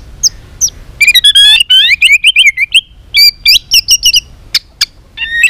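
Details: White-rumped shama in training for singing contests, delivering a loud, many-voiced song: rapid rising and falling whistles, fast trills and sharp high chips in dense bursts, separated by brief pauses.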